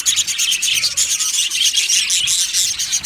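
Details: Happy budgerigars chirping in an aviary colony: loud, rapid, bright twittering from many birds, with overlapping shrill whistles and no pause across the whole stretch.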